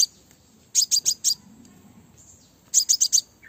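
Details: A female crimson sunbird utters two bursts of four bright, piercing chips, the groups separated by about one and a half seconds of near silence; the call serves to lure males.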